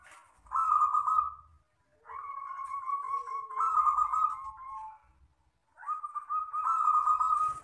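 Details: Zebra dove, local wild bird, singing long "kristal" style: three extended rippling, trilled coos lasting one to three seconds each, with a brief soft note between phrases and quiet pauses around them.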